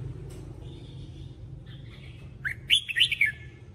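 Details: Red-whiskered bulbul singing a training song: soft thin whistles first, then a loud lively phrase of five or six quick, liquid chirping notes near the end, with low background hum throughout.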